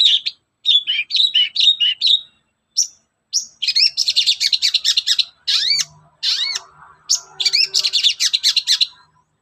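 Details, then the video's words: Long-tailed shrike in the morning, singing to lure other shrikes into song: quick runs of chattering notes, then a long series of rapid scratchy pulses broken by arching whistled slurs. "SUARA PANCINGAN BURUNG CENDET GACOR PAGI HARI"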